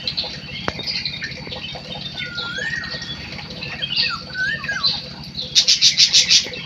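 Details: Munia giving long drawn whistles that slide upward then dip, plus squeaky notes, ending in a fast run of sharp, very high repeated clicks over a constant low hum.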